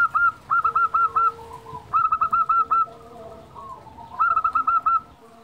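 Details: Local Indonesian zebra dove in full song, used as a lure to stir quiet doves into singing: three phrases of quick, evenly spaced cooing notes, each phrase opening with a longer note followed by a rapid run of short coos.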